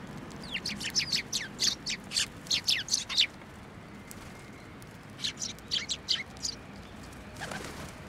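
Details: Flock of sparrows coming to a pillar for food at a Tenmangu shrine, New Year's Day 2024; a rapid string of bright, downslurred chirps for over three seconds, a pause, then another looser run of chirps.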